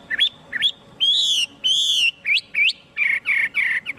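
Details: Short stretch of Chinese hwamei song: two quick upslurred whistles, two longer rich warbled notes, then a row of brief downslurred whistles, all loud and clean.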